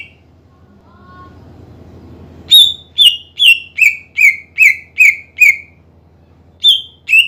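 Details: Greater green leafbird song used to goad rivals into singing; after a quiet start, a run of eight clear whistled notes stepping down in pitch, a pause, then two more, with low background hum.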